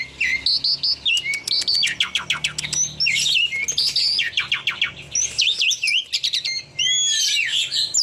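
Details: A tame Javan pied starling delivers varied, chattering song: rapid clicking rattles, sweeping whistles and looping squeaky notes run together almost without pause, with a steady low hum in the background.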